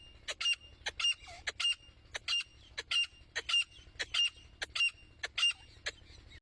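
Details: Female grey francolin (teetar) uttering short, sharp, evenly spaced notes about every half second over a low steady hum.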